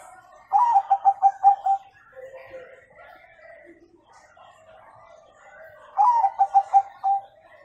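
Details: Bangkok zebra dove singing with the 'kung' note, played to train young birds to sing: two phrases of about six fast, mellow, repeated coos with a slightly rising start, separated by softer background twittering from other birds.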